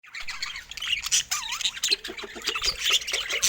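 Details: Many pet budgerigars of assorted colour mutations chatter together: dense, overlapping chirps, squawks and warbling trills with a few rising and falling whistled notes, continuous throughout.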